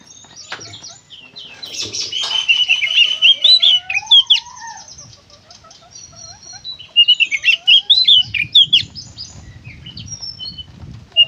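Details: Oriental magpie-robin singing konslet style: two bursts of rapid, looping whistles and crisp clicks, with a lower drawn-out whistle between them and a low rumbling noise at the end.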